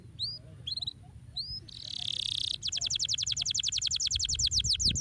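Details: Canary singing, used to stimulate other birds to sing: rising whistled notes, a harsh buzzy burst, then a fast run of bright repeated notes, about four per second, over a low background hum.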